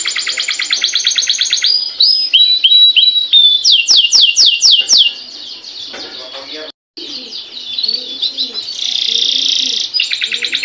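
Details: Canary singing a long continuous 'gacor' song, played to get other canaries singing: rapid high trills of repeated notes, a run of sharp descending sweeps, then buzzy rolling phrases and fast chattering trills.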